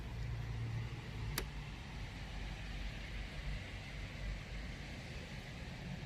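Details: Steady low rumbling noise, like a room or distant traffic, with one sharp click near the start and no animal sound.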